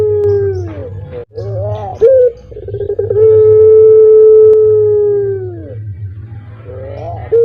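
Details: Caged puter, the Barbary dove kept across Indonesia, whose call is written "kuk geruk kwaakk": fluttering, bending opening notes, then a long even coo lasting about two and a half seconds that tails downward, before the rolling notes start again.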